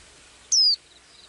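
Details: Blue-eyed small bird singing, as it does each day, one sharp, high, descending whistled note over a steady background hiss.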